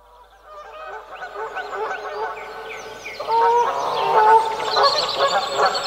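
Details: Canada goose territorial calls from a medium close-up position with heavy echo: harsh, overlapping honks repeat irregularly and grow louder toward the end, with higher chirping notes mixed in.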